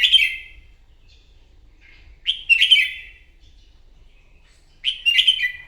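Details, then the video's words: Morning competitive song of a wild-caught red-whiskered bulbul, used for voice training: three lively, bubbling whistled phrases spaced about two and a half seconds apart, clean and close. "chào mào hót buổi sáng kích chim hót đấu"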